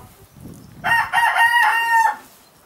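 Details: A Red-Saddled Yokohama rooster (Gallus gallus domesticus) with his hens gives one loud crow lasting about a second, harsh and harmonic-rich, broken into a few quick segments and ending in a drawn-out final note.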